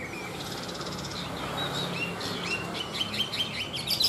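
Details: Tame Chinese hwamei singing quick, varied whistled phrases, short bright notes and slurred trills in rapid succession, over a steady background hiss.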